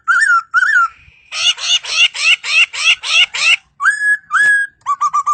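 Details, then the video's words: Very melodious laughingthrush song: two looping whistles, a fast chain of harsh buzzy notes, two long level whistles and a closing run of short whistled notes. "Suara Burung Poksay Sangat Merdu"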